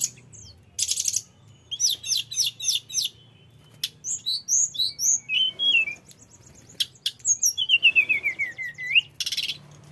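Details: Mountain flycatcher (tledekan gunung) singing energetically, used as a lure for other birds: loud buzzy bursts, rapid clusters of high chirps, squeaky twittering notes and a descending series of slurred whistles near the end.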